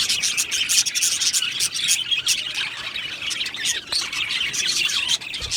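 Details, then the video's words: Budgies in a colony aviary produce a steady, shimmering mass of high chirps and scratchy warbles, occasional louder squeaks rising above the crowded chatter. "Budgie birds Chirping sounds"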